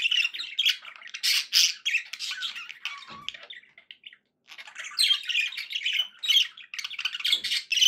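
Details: Indoor pet budgies chattering happily, scratchy squawks and twittering warbles in bursts, a one-second silence midway before the lively chatter resumes.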